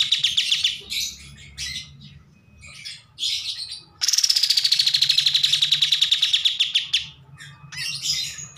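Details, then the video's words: Bulbul singing, kept as a master recording for training other birds: high chattering phrases, then a long rapid series of sharp notes falling slowly in pitch for about three seconds, followed by more bursts of chatter. "MASTERAN KAPAS TEMBAK GACOR"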